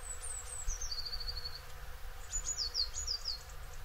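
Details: Eurasian blue tit calling in Córdoba: thin, very high descending notes followed by a quick series of short falling chirps repeated several times, over a steady low rumbling background.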